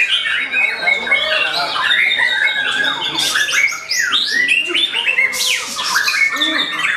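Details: White-rumped shama singing as it starts to fight back against a rival: dense, continuous mix of whistled notes, sharp rising and falling sweeps and rasping phrases with no pauses.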